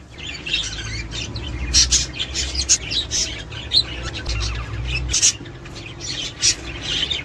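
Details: Budgerigar flock chatter for encouraging breeding and laying: soft continuous warbling with bright sharp chirps punctuating every second or so, over a noticeable low hum.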